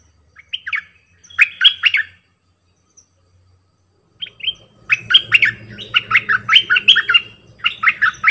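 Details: Bulbul kept as a decoy bird, singing varied songs: a short warbled phrase, a pause, then a long run of bright, rapidly alternating chirps and slurred whistles, with a low background hum during the second phrase.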